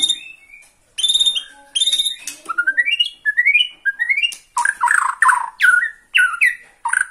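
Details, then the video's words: Excited Borneo white-rumped shama singing at a rival: ringing, buzzy notes, then a string of short rising whistles climbing in steps, ending in loud, sharp, varied phrases. "MURAI BORNEO MAIN EMOSI SATU TITIK LIHAT LAWAN"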